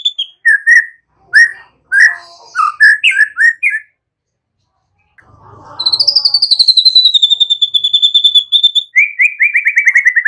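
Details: Caged white-rumped shama song for training young birds: a jumble of varied whistled notes, a brief break with low rustling, then a long rapid trill sliding down and a second fast trill.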